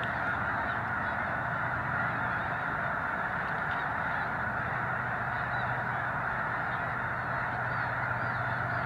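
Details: A huge snow goose flock on a wildlife refuge in Missouri during a controlled prairie burn, light breeze: a continuous massed clamor of honking voices with no single call standing out, over a low steady hum.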